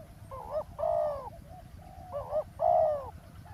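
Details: Spotted dove calling during roadside ground trapping of wild doves: two pairs of coos, each a wavering short note followed by a loud drawn-out hollow coo, unhurried and uneven in spacing.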